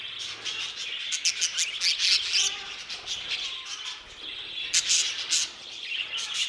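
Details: Budgerigars in an aviary give a steady stream of high, scratchy warbling with irregular bursts of sharp clicking chirps, several birds calling at once.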